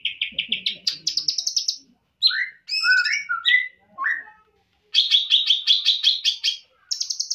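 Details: Champion greater green leafbird singing a full-isian tutor song: bursts of rapid, high buzzy trills alternate with short whistled slurs sliding downward, broken by brief silent gaps, then another long fast trill and a closing burst.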